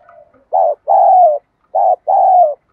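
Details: Spotted dove kept as a lure bird, calling wild doves with 'đồng gù đấu thúc' coos. A soft opening note, then two phrases each made of a short coo and a longer, steady, slightly descending one.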